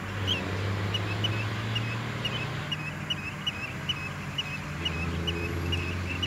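Chestnut-headed bee-eaters give short, bright chirps around two a second, over a steady low engine hum.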